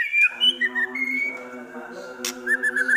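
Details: Murai, a white-rumped shama, singing a song with mimicry of prenjak, kapas tembak and elang: clear whistled notes, a long gliding whistle and a short run of chirps at the end, over a steady low droning hum.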